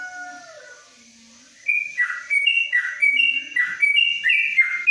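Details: Yellow-vented bulbul, a caged trucuk in a covered cage in Kebumen, bursting into the long 'ropelan panjang' song after a quiet start of faint whistles: quick bright bubbling phrases, high note then lower warble, repeated several times a second.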